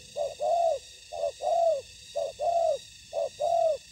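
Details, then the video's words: Spotted dove used as a ground-trap decoy facing wild birds, calling in clear pairs: a brief low coo followed by a drawn-out arching coo, evenly spaced roughly each second. "Bẫy cu gáy mồi đất : Tuyển tập Mồi cùi bắp gặp Bổi trận của năm"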